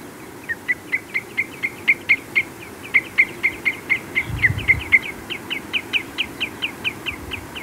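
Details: Common redshank piping calls at Adventurer's Fen: a steady run of short, clear notes, about three a second, with a second bird faintly in the background and a low rumble underneath.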